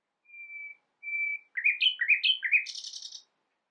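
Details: Common nightingale singing a medley said to imitate many other birds: two long steady whistled notes, then a quick run of rising chirps stepping upward, ending in a brief buzzy high rattle.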